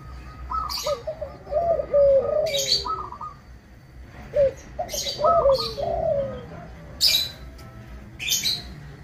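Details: Local zebra dove with a clear 'crystal' voice, played to provoke other zebra doves into singing back. Two cooing phrases of rapid stuttered notes rising to a bright coo and a falling tail, with crisp high clicks throughout.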